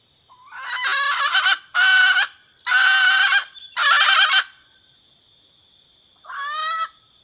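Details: Red junglefowl hen's call to the rooster, a sound to which wild birds are said to respond and come: four loud, nasal, throaty calls in a row, a pause over a steady high hum, then one more call.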